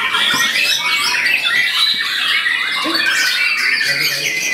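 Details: Captive White-rumped shama performing a bowing display while singing a varied repertoire of imitated material from one spot; dense, loud, continuous warbling of whistles, buzzy trills and sweeping notes with little pause.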